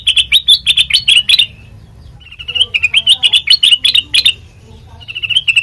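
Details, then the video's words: Sooty-headed bulbul in very melodious song, used as a lure for training other birds: two bursts of rapid, bubbly chattering notes around a steady mid-high pitch, separated by a brief pause, then softer notes at the end. "Suara Burung Kutilang Mas Sanget Merdu,COCOK BUAT PANCINGAN MASTERAN"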